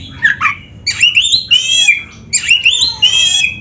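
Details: Oriental magpie-robin (kacer) singing in the gacor style, full of dense isian, in Indonesia: loud bursts of sweet rising whistles mixed with harsh buzzy notes, given in phrases about every half second with short pauses between.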